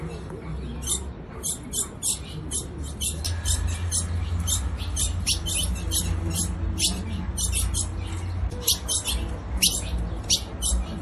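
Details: A female ultramarine grosbeak calls to stimulate a male, giving sharp, high chips in quick, uneven bursts over a steady low hum and rumble.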